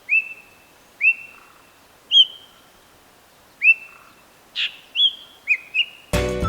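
White-bellied drongo giving clear, ringing whistles that snap upward and then hold level, about one a second, ending in a brief burst of noise.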